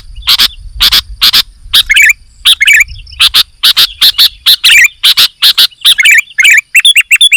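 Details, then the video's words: Chatty sooty-headed bulbul song: a run of crisp, sharp ticks with bubbly, twisting warbles slipped between them, getting quicker and denser toward the end, with a faint low rumble early on. "KUTILANG GACOR"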